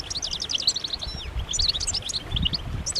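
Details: European goldfinches in group mating and readiness calls that encourage males to sing. Crisp, high twittering notes come in quick clusters, with one downward-sliding note just after one second and soft low rumbles.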